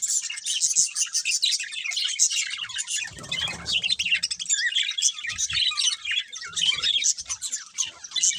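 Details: A group of budgerigars twitters and warbles constantly, bright rapid chirps layered into a busy chorus, with a brief low rumble around the middle.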